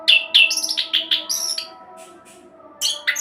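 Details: An orange-headed thrush, used as a lure for other birds, gives loud whistled notes and quick warbles, then falls quiet for about a second before resuming with bright high chirps; faint hum throughout.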